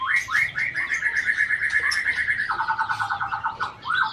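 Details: White-rumped shama of Aceh stock, a mimic with imitations of other birds such as scarlet-headed flowerpecker, bar-winged prinia and shrike in its song: quick run of rising chirped notes, then a faster rattling series of lower notes.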